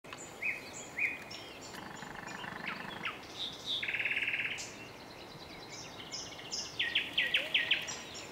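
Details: Nightingale singing: a varied run of phrases with short repeated high notes, a dense buzzy rattle in the middle, then a fast series of clipped, evenly spaced notes near the end, over soft background hiss.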